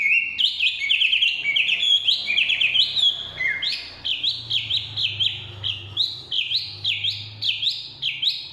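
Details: Chinese hwamei in forest gives an energetic song of bright whistled phrases, each note a quick up-and-down slur, repeated in a fast even rhythm with a low murmur in the background.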